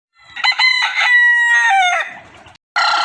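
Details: Rooster crowing: a loud, rich, harmonic cock-a-doodle-doo, opening with short stuttered notes, then a long held tone that drops and fades. A second crow bursts in abruptly at the end.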